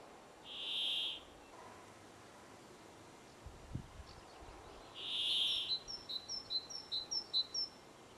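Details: Brambling singing in mountain highlands near Geilo, Norway: two drawn-out, harsh, wheezy buzzes about four seconds apart; another bird follows with a quick run of short, high chirps.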